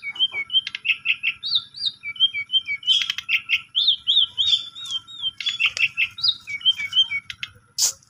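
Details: Asian pied starling singing, played as a lure so a sulking starling starts to sing; a busy run of short whistled and chirped notes, some rising, with harsh clicks between them and a loud burst at the end.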